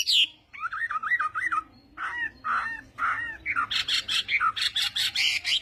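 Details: Varied morning fighting song of a Chinese hwamei training its voice, shifting from lower warbled whistles to fast, high, buzzy notes repeated in a steady stream.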